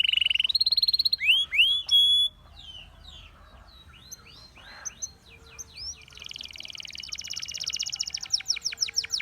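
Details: Singing Russian canary, whose song is said to seduce other canaries, opens with loud whistled slurs and rising notes, fades into softer twitters, then builds to a rapid, even trill.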